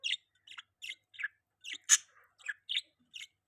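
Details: Pet budgerigar chirping: short, sharp notes roughly every third of a second, each a quick buzzy chirp with a few harsher, louder squawk-like notes mixed in; no other sounds.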